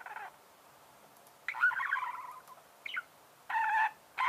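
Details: Budgerigar giving a few separate chirping bursts: a short nasal note, a longer warbled chatter, a brief squeak and two buzzy calls, with silent pauses in between.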